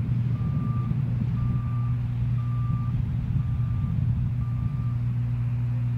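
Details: A truck's reversing alarm beeps five times at a steady interval over a deep engine rumble, with no animal voice present.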